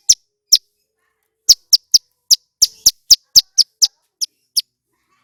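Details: Loud, clear song of a male Bar-winged prinia singing persistently. Sharp, high, clipped notes come in irregular bursts, some doubled, over about five seconds, with silence between notes and no other sounds.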